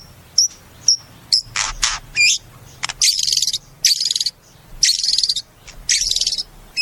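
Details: Caged white-rumped shama producing harsh, buzzy high bursts and short whistled notes in repeated phrases, with quiet gaps between.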